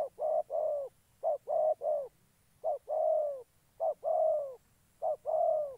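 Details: Gia Lai, Vietnam: a decoy spotted dove used to lure wild doves into traps coos in repeated phrases of one or two brief notes leading into a longer warbling coo, deep and resonant, with a faint steady high tone behind.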